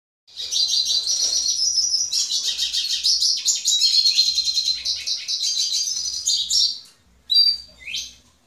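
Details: A goldfinch sings to a female Belgian canary: a long, fast, high twittering run of tinkling trills and buzzy notes for about six seconds, then a brief bright phrase.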